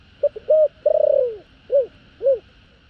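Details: Standard thổ đồng style spotted dove call with two ending notes, sung to provoke wild doves: short clipped notes, a held coo, a long trembling downward-sliding roll, then two rounded evenly spaced closing coos over a constant low hum.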